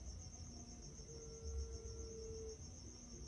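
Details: Turtle dove song from a long-duration training recording meant to prompt caged birds to sing: one long, steady, pure low tone held for about one and a half seconds, with a constant high insect-like buzz throughout and low background rumble.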